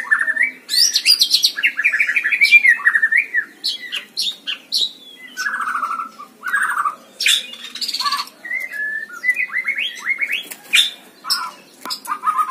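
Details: An energetic White-rumped shama in a hanging cage sings loud, varied phrases of fast whistled notes, buzzy rasps and clipped chips, each burst separated by short silences.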